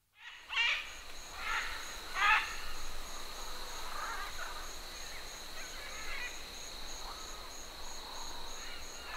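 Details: Distant Green-winged macaws (Ara chloropterus) giving flight calls at Tambopata: harsh, raspy squawks, three loud ones in the first few seconds then fainter calls, over a steady high drone of stridulating cicadas.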